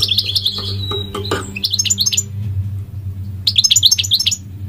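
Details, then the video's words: Singing goldfinch: quick tinkling twitters and buzzy chirps in short phrases, separated by a pause, over constant low hum and faint speech. "The elegant migratory goldfinch sings the most beautiful singing"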